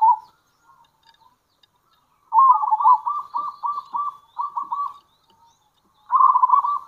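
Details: Zebra dove, local type, as a decoy caller; a brief coo, then a long run of evenly pulsed hooting notes with a short gap, then a fast trilled phrase.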